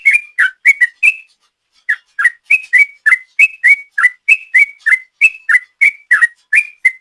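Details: Sooty-headed bulbul lure recording in the sought-after long 'ropel' style: five liquid whistled notes, a short pause, then a steady run of bubbly rising and dipping whistles at roughly three per second.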